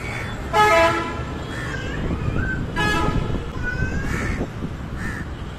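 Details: Crow at a nest on a high-rise apartment in Leipzig, a few drawn-out hoarse caws spaced about a second apart, mixed with a loud blaring urban noise and traffic sounds.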